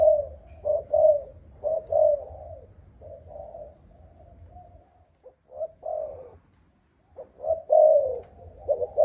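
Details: Spotted dove, Malaysian line with an 'âm thổ' earthy-toned voice, giving soft, low coo phrases in uneven bursts, broken by a quiet pause midway before the cooing resumes; a steady low hum underneath.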